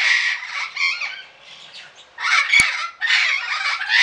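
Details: In a garden in Pelhřimov, Czech Republic, on 18 August 2017, an Eclectus parrot gives harsh, grating squawks in three bursts over four seconds, with a sharp click partway through.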